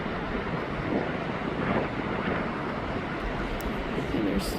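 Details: Broadband engine rumble mixed with wind noise on the microphone, steady throughout, with no animal calls heard.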